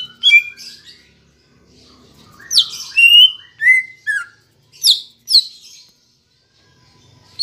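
Green leafbird song: bright, varied whistled and chattering phrases, quick downslurs and sharp high notes in short bursts, with brief pauses between.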